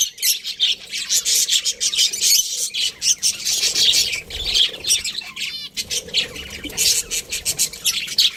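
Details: A group of pet budgies keeps up a loud, harsh, chirping chatter of rapid scratchy notes and squawks, with a short rattling flutter midway and the excited warbling running on to the end.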